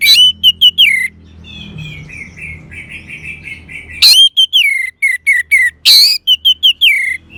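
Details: Singing Orange-headed thrush, played to rouse a silent bird. Varied whistled notes, many sliding downward, and a run of softer warbling. Two harsh rasping bursts break in midway and near the end.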